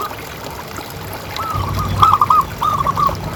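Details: Zebra dove with a big local voice, used to prompt other doves to call, giving a drawn coo then two rapid phrases of clipped, rolling notes, with a low rumble underneath.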